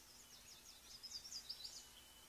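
Small niltava giving a quick run of faint, very high, thin chipping notes over a soft background hiss.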